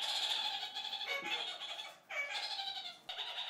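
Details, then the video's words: Kakariki flock chattering to communicate, something the birds do several times a day: dense, continuous harsh nasal chatter with overlapping voices, briefly dipping at about one and two seconds before resuming. "Laufsittichgeplauder /Kakariki voice"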